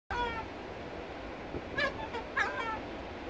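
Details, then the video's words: Seagulls chatting at Storm's River Mouth Rest Camp in Tsitsikamma National Park: a few drawn-out, nasal, mewing calls with rich harmonics, one early and two louder ones near the end, over a steady rushing background. "Seagulls chatting."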